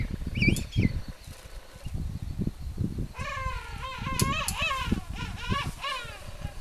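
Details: At a king penguin reserve in Tierra del Fuego, Chile, in April 2021, a mother king penguin feeds her chick, giving a rich, wavering, harmonic call after a few thin high whistles, over wind rumble.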